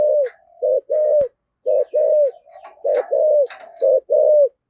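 A spotted dove gives a run of deep, mellow coos, each slightly falling, grouped in quick pairs and singles with short gaps; faint clicks and rustles behind.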